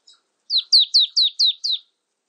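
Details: Marsh tit calling, recorded in 2020: a run of six clear, high whistled notes, each sliding steeply downward, given at a quick, even pace of about four per second against a silent background.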